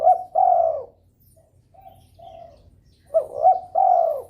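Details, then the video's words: Spotted dove in breeding mood, calling persistently to stir rivals into calling: a loud, mellow, slightly descending three-part coo, several soft low coos, then another loud coo phrase with a wavering start. "DERKUKU birahi gacor merangsang lawan ikut bunyi.."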